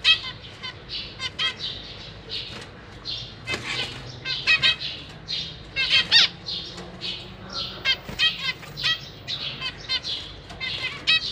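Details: Caged zebra finch parents feeding their young, May 2023: a long, busy stream of nasal, buzzy chirps from several birds, dense and overlapping, with a brief clatter partway through.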